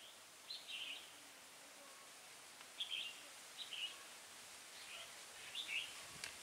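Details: Red-whiskered bulbul decoy bird singing in a trapping session on 20 January 2018: faint, short bright warbled phrases in scattered bursts of one to two notes, over a steady hiss of environmental noise.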